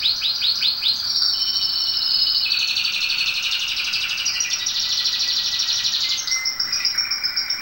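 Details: Canary singing a tutor song meant to teach and warm up canaries: opens with rapid pulsed notes, then runs into a long dense ringing high trill with shifting tours.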